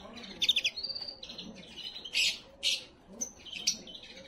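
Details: Canary song played to stimulate and prepare females for breeding: bright high chirps, short buzzy trills and clear whistled notes in quick uneven bursts, with a few louder harsh notes around the middle.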